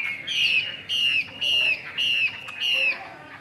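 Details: Chinese hwamei in a cage in Vietnam repeating a loud downward-slurred whistle five times, roughly every half second, over a low hum.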